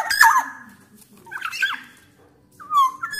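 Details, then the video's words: Black-naped oriole, a vigorous loud singer from Sumbawa, used as a lure to prompt orioles to sing: short slurred fluty whistles with harsh scratchy bursts, a gap, then a descending whistled note. "KICAUAN KEPODANG EMAS GACOR SUARA KERAS"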